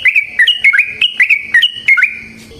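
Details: Yellow-vented bulbul, known locally as trucukan, singing its energetic long ropel song, forest style, played as a lure for other birds; bubbly liquid whistled notes jumping up and down in quick, fluty phrases.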